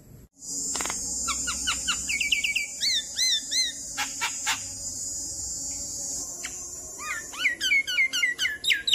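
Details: Adult Javan myna (Acridotheres javanicus) call, used to lure other Javan mynas into answering: a chatty mix of whistled, rising notes and sharp clicks, about four a second, over a steady high insect-like hiss.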